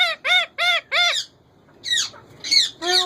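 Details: Four loud, evenly spaced arched squawks from a captive male ringneck parakeet, then a pause and three harsher, higher calls.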